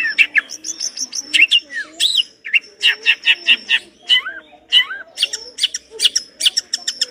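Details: Long-tailed shrike in lively song full of varied borrowed phrases: quick chattering notes, swooping whistles and scratchy chips follow in fast succession, with soft lower warbling underneath.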